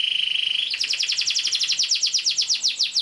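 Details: Singing canary whose long, energetic chirping is used to teach young canaries their song: a steady buzzy trill breaks into a fast run of sweeping, downslurred notes repeated several times a second.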